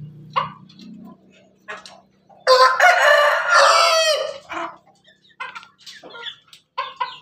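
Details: Ayam Ketawa rooster, red in colour, standing atop its cage and crowing sweetly: a loud two-second crow with rapid stuttering pulses, framed by scattered short clucks and sharp chirps before and after.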